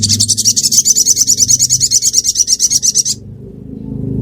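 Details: Ruby-cheeked sunbird near Reului, Pidie regency, Aceh, giving a fast, high, pulsing trill of about thirty rapid notes lasting three seconds. A steady low rumble, perhaps from a passing vehicle, runs underneath.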